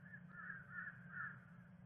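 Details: Bald eagle at a Miami-Dade nest where the resident female laid her second egg on 10 December 2023, early afternoon. A short run of three or four squeaky, chattering notes rises over a steady low hum.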